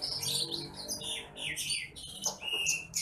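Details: Bush lark song for training other birds: busy, unbroken stream of high chirps, buzzy trills and slurred falling whistles.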